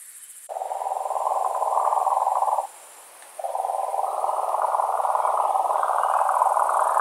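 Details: European nightjar in the breeding season near a nest with eggs and chicks at night: a long, steady dry churring trill, briefly broken off, then resuming and shifting slightly higher in pitch, with a high insect hiss behind.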